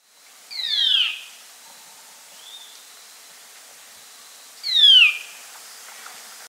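Band-tailed manakin giving two sharp, downslurred nasal calls about four seconds apart, with a soft whistled note between them and a quiet forest hiss behind.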